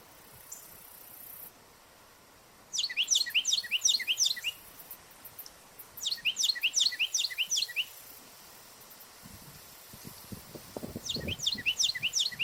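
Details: A Carolina wren calls from a treetop on a park hiking trail in Ontario, Canada: three loud, ringing bursts of rapidly repeated two-part phrases, each under two seconds. Another wren seemingly answers farther away. There is faint hiss.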